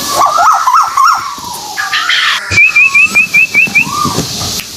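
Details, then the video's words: White-billed tuwu bird, Malaysia, calling as a lure: after lower chirps and whistles from other birds, a crisp series of about eight quick wavy high whistles, then a soft falling whistle. "Pancingan burung tuwu paruh putih malaysia"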